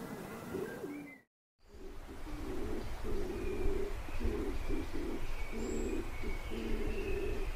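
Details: Pigeons giving low, throaty, rolling coos in a rhythmic repeated series, with faint higher thin notes and a brief break in the recording early on.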